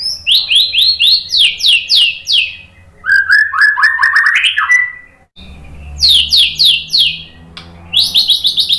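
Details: White-rumped shama lure song: fast series of sharp descending whistled notes, a lower rising run of slurred notes, then more rapid descending note series after a brief break.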